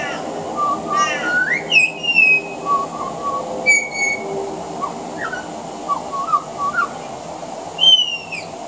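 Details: Pied butcherbird singing on a veranda, mixing mimicry of other Australian birds into its song: fluty whistles and slurred descending notes, a rasping burst early on, and a series of short mellow phrases before a high falling whistle at the end.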